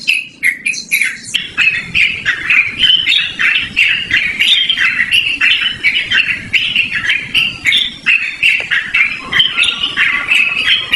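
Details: Long, loud Yellow-vented bulbul song for luring or training birds: an unbroken stream of rapid, chattering, gurgled notes with scattered sharp clicks, continuing for about eleven seconds.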